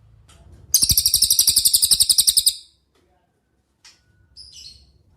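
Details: Cililin song intended as a master for training songbirds: a roughly two-second run of quick high chirps, then quiet with a few faint, scattered high notes.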